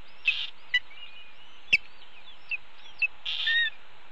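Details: Red-tailed hawk nestlings on a Cornell nest camera, 30 May 2013 around 10 am, calling for their parents as the mother arrives with a pigeon and feeds them: short bursts of high, harsh chirps and thin whistled notes, with a sharp click midway.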